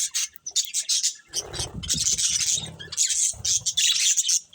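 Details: Colourful budgerigars while eating give rapid high scratchy chatter in bursts, mixed with a low rustling, gnawing noise from about the middle onward.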